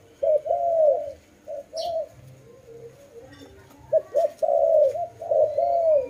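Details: Cooing dove, short lead-in notes and long flowing coos, a quieter stretch in the middle before a louder string of linked notes resumes.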